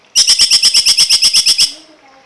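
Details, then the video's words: Cungkok song used as a training recording for songbirds: a rapid burst of about twelve sharp, bright, even notes at roughly eight per second, ending abruptly, followed by faint low background hum. "masteran burung cungkok"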